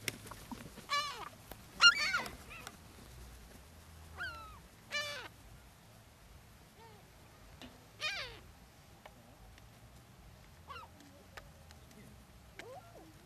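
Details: Seagulls on Brean Sands beach, Somerset, England, being fed in spring 2013; intermittent screechy, falling cries spaced a few seconds apart, some loud bursts, others faint and distant over soft wind.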